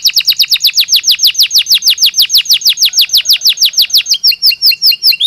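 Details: Belgian canary singing naturally for daily stimulation and training: a steady train of bright falling whistled notes, then a switch to a quicker, higher phrase of short notes.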